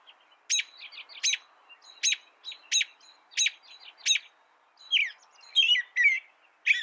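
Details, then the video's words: American robin. A run of sharp, clipped chirping notes repeats about every 0.7 seconds, then gives way to fuller warbled whistled phrases near the end. "Suara burung american robin"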